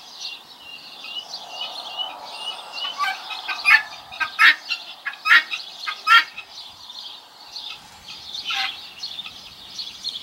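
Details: Young helmeted guineafowl keets hatched by a guinea hen, calling in a busy overlapping chorus of high peeps and short chirps, bursts of louder sharp notes in the middle, roughly 70 calls a minute.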